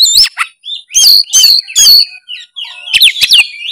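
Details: Oriental magpie-robin (kacer) in gacor narung song for stirring a quiet bird. Separate loud whistles sweep up and down at spaced intervals, ending in a quick cluster of sharp rising notes.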